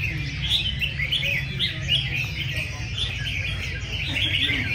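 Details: Caged red-whiskered bulbuls singing head to head in a competition session attended by many enthusiasts: bright rhythmic whistled phrases recurring roughly every half second amid a busy chorus and low crowd noise.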